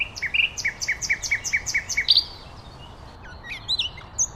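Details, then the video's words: Common nightingale song: a fast series of paired, high chipping notes repeated evenly about five times per second, ending in a sharp flourish, followed by softer, scattered whistled notes. "Beautiful Nightingale Birdsong"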